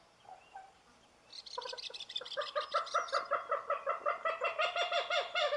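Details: Common gallinule (Gallinula galeata), a waterbird of the rail family: after a quiet start, a fast run of nasal, harmonic clucking notes begins and continues steadily at nearly three per second, growing slightly louder toward the end.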